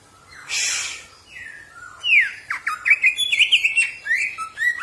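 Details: Green leafbird, a caged bird whose song is played to train others, opens with a harsh rasping burst, then a quick series of descending slurred whistles and chattering notes repeated in a lively, varied sequence.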